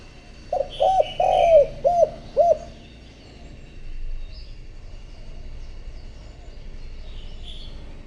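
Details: Spotted dove used as a decoy to call wild doves: a short burst of five low, rounded coos, one stretched longer, then quiet background hum with faint distant chirps.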